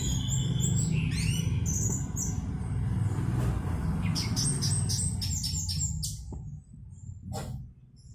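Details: Orange-headed thrush song: sweeping whistles at the start, then a dense burst of sharp, clipped high notes midway, over heavy low rumble that fades near the end.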